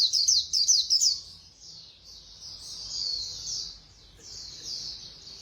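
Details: White-eye singing fast in the Khuyên Líu style, opening with a one-second burst of sharp, rapid high twitters. Softer, steady high warbling continues for the rest of the clip.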